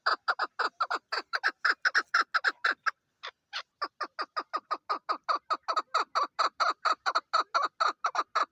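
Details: Female chukar partridge, named as the national bird of Pakistan, gives a long series of harsh clucking notes about two per second, with a short pause near three seconds before the chatter resumes.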